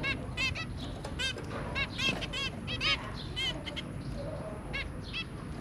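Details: Zebra finches, a pair and their three babies, 23 January 2022: repeated short honking beeps, often doubled, scattered irregularly through the clip over a low background hum.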